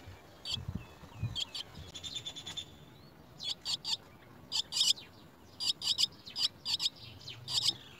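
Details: Chestnut-tailed starling chicks at the nest being fed worms by a parent; short high chittering bursts come in irregular clusters, several notes per second, with faint low rustling beneath.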